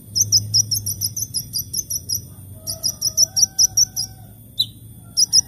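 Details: Sunbird singing in the morning: rapid series of very high, thin chirped notes repeated about five per second, pausing briefly, with a faint lower whistle in the background.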